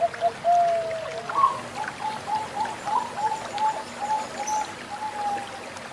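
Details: Zebra doves, a Bangkok bird and a local bird, give soft, mid-pitched cooing: one drawn-out coo, then a quick string of short clipped notes, over trickling running water.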